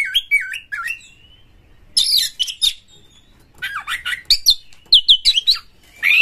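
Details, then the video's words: Oriental magpie-robin (kacer) song used as a lure recording to get other birds singing, with rough, varied material and tail-spreading display; bursts of whistled, slurred notes and harsh buzzy phrases separated by short pauses, high-pitched throughout. "suara PANCINGAN KACER GACOR TOP2024 kacer Buka Ekor KONSLET bongkar MATERI KASAR agar KACER gacor"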